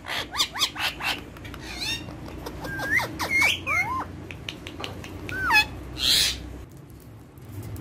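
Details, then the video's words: Several pet ringneck (rose-ringed) parakeets, playing on a table, chatter in quick bent whistles and mimicked Urdu/Hindi word-like phrases that slide in pitch, ending with a harsh screech; one bird is described as very happy, and others call in the background. "Ringneck Talking Parrots Speaking In Urdu Hindi"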